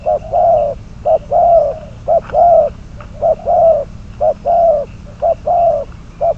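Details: Spotted dove kept as a decoy for bird trapping, number 22, cooing steadily in alternating short and long low notes, about one per second, with a faint click in the middle.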